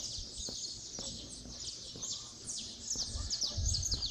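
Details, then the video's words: At daybreak in Resplendor, Minas Gerais, Brazil, saffron finches form a dense chorus of high, rapid descending chirps, about four a second, over a low rumbling background. "Os canários da terra já estão dando um bom dia pra nós."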